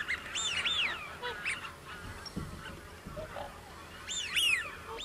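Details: Common cranes giving loud, trumpeting arched calls, several in quick succession near the start and again toward the end, with fainter distant calls and low background rumble between.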